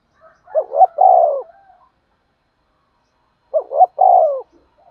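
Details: A spotted dove used as a decoy for trapping calls twice, roughly three seconds apart, each phrase a stuttering double coo followed by a long, hoarse, falling note in a low register.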